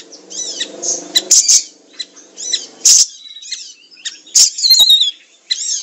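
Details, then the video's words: Songbird training recording of a lively siri-siri: short high chirps and sharp squeaky bursts in quick, irregular phrases, with a soft low murmur beneath the opening second. "Masteran siri siri gacor 100 % nyamber"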